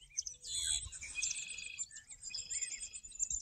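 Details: Birds singing on a golf course in Morden: high twittering and chirping from several birds, with a dense burst near the start, then thinner rapid chirps and short trills, over low rumbling noise.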